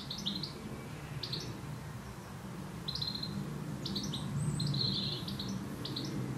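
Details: Goldfinch singing in a garden: brief bursts of high, tinkling twitter notes come in scattered clusters over a steady low background rumble.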